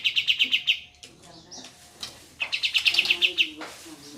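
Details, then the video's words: Rolling ngeroll tembak song from a group of kapas tembak bulbuls: a fast run of ringing high notes, a pause filled with scattered chirps, then a second rapid run, with gentle water sounds behind. "Burung Kapas Tembak Ombyokan Sudah Gacor Ngeroll"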